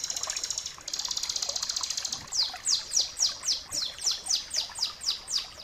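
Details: Tutor recording of a bar-winged prinia (ciblek kristal) for training caged birds. It opens with a very high buzzy trill, then about a dozen sharply falling whistled sweeps repeat steadily at roughly four per second.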